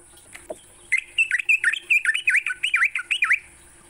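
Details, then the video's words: Sooty-headed bulbul, morning song used to train songbirds: a fast run of loud whistled notes, many dipping in a V shape, about two per second, after a faint lower note near the start; steady high hiss behind. "Pancingan TRUCUK PAGI hari, bikin trucukanmu gacor sepanjang hari."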